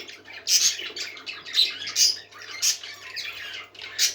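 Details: Several parakeets singing happily, a busy stream of squawky chirps and short buzzy notes, with louder bursts roughly every half second to second and a faint steady low hum underneath.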